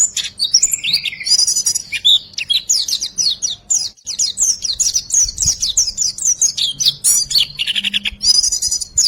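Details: Continuous white-eye song in the 'riwikan' style, used to draw silent birds into singing: dense high twitters and slurred whistles, with short buzzy trills near the end and a soft background hum.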